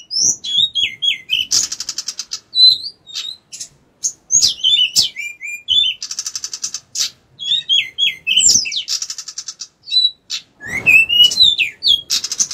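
A bar-winged prinia sings vigorously and without pause, mixing high buzzy trills with quick whistled, up-and-down slurred notes. No other sounds come through.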